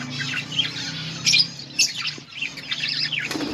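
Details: Budgies eating in a colony, scattered chirps and squawk bursts over continuous twittering, with a low humming background.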